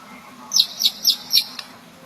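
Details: White-rumped shama (murai batu): four sharp, high chirps in quick succession, roughly a quarter second apart, over a quiet low hum.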